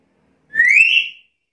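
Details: A single black-capped lory whistle, smoothly rising for most of its length before tapering off, clear and loud against silence.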